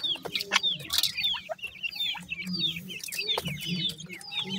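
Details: Grey francolin chicks calling with clear, thin, falling peeps in quick succession, a lively overlapping chatter, plus occasional taps and a soft low murmur.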